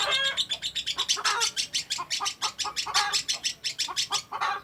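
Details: Sustained ngekek from a lovebird: rapid, rasping chatter with pulsing bursts of harsh notes, steady and unbroken throughout, high and shrill.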